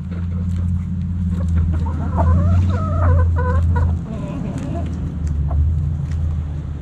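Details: Backyard coop chickens clucking in soft, stepped harmonic notes over a loud, steady low hum.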